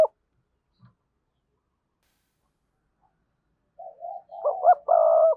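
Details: Spotted dove kept as a decoy, strong 'thúc' voice: silence, then soft rising coos building quickly into a loud, resonant double coo at the end.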